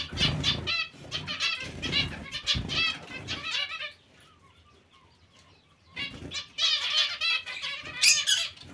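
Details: Zebra finches in a colony alongside Bengalese finches: several seconds of crowded nasal chirping and wing flapping, then a short near-quiet pause before the harmonic calling picks up again.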